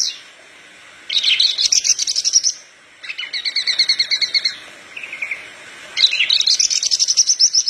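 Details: Horsfield's bush lark (parva) in lively song for coaching other larks: three rapid chattering phrases that mix very high pulsed notes with lower buzzy strands, with a brief lower trill between them.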